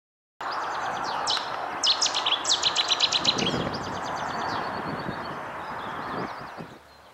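A Cetti's warbler bursts into its loud, explosive song: a quick run of sharp, ringing notes lasting about a second and a half, over a steady low rumble of background noise.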